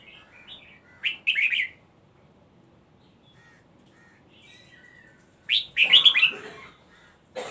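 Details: Red-whiskered bulbul singing in the rolled double style known locally as gulung double or daba: two bursts of bright, warbling notes around one and five seconds, separated by quiet, with a softer phrase at the start.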